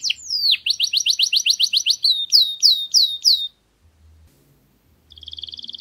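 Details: Domestic canary singing an error-free tutor song used to teach chicks: fast trills of repeated rising notes, then a short slower series of swooping notes, a pause, and a faint buzzy trill at the end.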